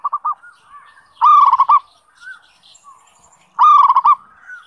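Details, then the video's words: Zebra dove song as a lure to train birds to sing. Two rippling cooed phrases of fast pulsed notes, each closing on a held coo, with soft faint chirps between them. "Pancingan Suara Perkutut MASTERAN Gacor Buat Harian Ampuh Melatih Bunyi"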